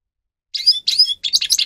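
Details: Grey-crowned goldfinch song recorded as training material for captive birds: three short bursts of high twittering notes with sharp rising and falling slurs, after half a second of silence.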